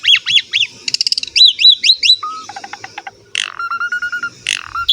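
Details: Asian pied starling singing to lure young birds into song: a series of bouncing whistled arches, fast ticking trills, a low flat whistle, a run of quick clicks, then harsh bursts with steady whistled tones.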